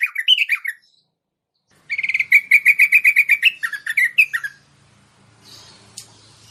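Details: Merbah bulbul calling to attract wild merbah: a short warbled phrase, silence, then a fast run of repeated chirps followed by lower slurred notes, ending in faint hum and a click.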